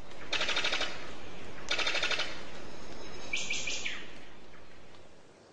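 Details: Brown sicklebill (Epimachus meyeri), a bird of paradise, giving its non-birdlike machine-gun call: two harsh, rapid-fire rattles about half a second each, then a brief higher ringing note, over a steady low rumble.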